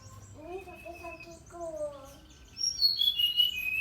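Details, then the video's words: Brown-chested jungle flycatcher singing vigorously: after a person's voice at the start, a burst of high, clear whistled notes near the end, falling and sliding, with some chirps mixed in. "Sikatan rimba dada coklat SRDC gacor"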